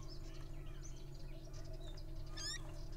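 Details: Squeaky little owl during a wrestling bout, giving soft scattered chirps and one sharp, bright, stacked squeak late on, all above a constant low background hum.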